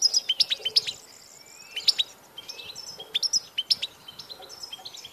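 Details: Goldfinch song dated 16 March 2014, repeated clipped high chirps and brief twitters in loose groups, set against steady background noise.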